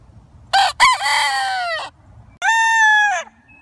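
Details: Two crows in quick succession: a rough, raspy crow with a falling end, followed after a short gap by a cleaner, shorter crow; quiet background hum.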